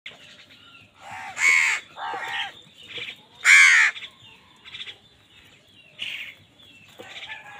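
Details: Crows squabbling with other wild birds over food; several harsh, broad caws of varying length come in irregular bursts, with softer chatter from other birds between them.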